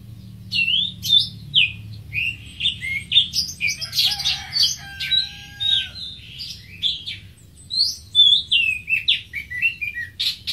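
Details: Greater green leafbird delivering a continuous, lively run of high twittering and slurred whistles, with a brief lower steady whistle in the middle and chattering notes throughout.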